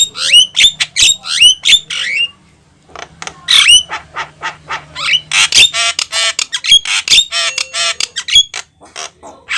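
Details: Energetic Javan myna singing meant to attract other mynas, with hoarse rasping bursts and clear whistles, a brief pause, then dense harsh chattering and repeated sharp notes, over a faint low hum.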